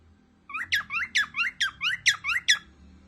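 A cockatiel sings a quick run of bright, warbling whistled notes, each sweeping up and down.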